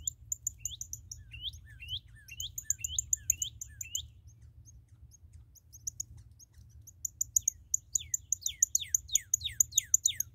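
A red cardinal gives rapid series of sharp, high, downslurred notes in bursts, pausing, then speeding into a quicker run; a faint low hum sits underneath.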